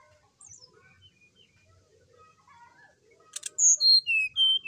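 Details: Brown-chested jungle flycatcher singing energetically in the morning, a recording meant to provoke another bird: soft scattered chirps first, then a sharp click and a loud sequence of clear whistles dropping step by step in pitch.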